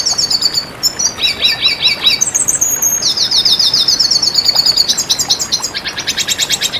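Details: Red siskin song for bird training: high fast twitter, paired repeated chirps, a smooth long buzzy note, then rapid chattering trills ending in a dense run of sharp notes.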